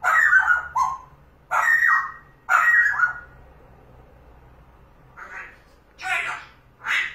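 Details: Pet parrot indoors, seeing a cat through the window: loud harsh speech-like phrases in bursts separated by pauses, with a person's voice nearby.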